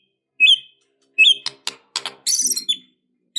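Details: White-rumped shama with fighting, emotional song: two clear whistled notes, then sharp clicks and a high rattling chatter.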